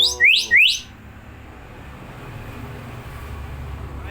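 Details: Two-year-old common hill myna from East Kalimantan, hand-raised from young and still learning to talk, gives two loud, bright rising whistled sweeps in quick succession, then falls silent over a faint background hum.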